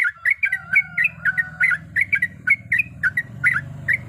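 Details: Female yellow-vented bulbul calling a male while in breeding condition: fast, gurgling chirps in uneven clusters, set against a noticeable low droning hum.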